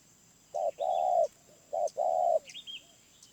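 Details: Two paired phrases from a wild spotted dove in a medium voice: a brief coo then a long, even, mellow coo, each pair well spaced. A few faint high chirps from other birds follow.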